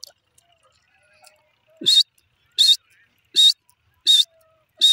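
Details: Grey francolin (teetar) calling: after a quiet start with faint clicks, five loud, harsh, ringing notes follow in steady succession, one roughly every 0.7 seconds, each a short burst with a bright tone at its core.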